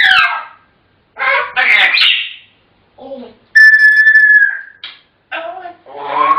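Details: African grey parrots mixing mimicked speech syllables with a steady, level whistle held for over a second, then short chatter.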